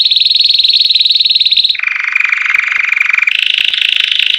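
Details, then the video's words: Classic campainha song of a white Belgian canary, meant for training canaries after moulting: a fast rolling high trill drops abruptly to a lower, fuller trill, then rises again to a mid-high rolling tour, continuous and strong. "Canary Singing CANTO CAMPAINHA CLÁSSICO para TREINAR e ESQUENTAR seu CANÁRIO BELGA PÓS-MUDA"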